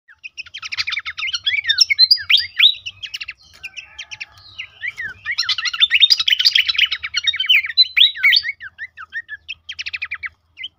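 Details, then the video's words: Horsfield's babbler song, used as a lure and training recording to stimulate caged birds to sing actively. Dense bursts of rapid, high chirps and sweeping whistled notes come in two long bouts with a short pause between them. A faint low hum runs underneath. "terapi pancingan dan masteran burung pelanduk semak bikin aktif rajin bunyi"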